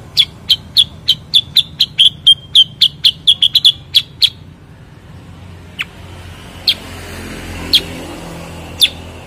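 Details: Bulbul known locally as cucak kurincang or kutilang sutra, giving a rapid run of about fifteen bright, high chirps over four seconds, then a pause and four isolated sharp notes spaced about a second apart.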